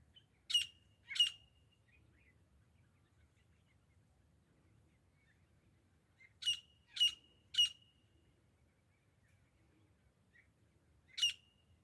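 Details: Grey francolin, the desi teeter partridge, in a hunting recording: short, sharp, harsh notes in a pair, then a triple burst after a long pause and a final single note, with long quiet gaps and low background noise.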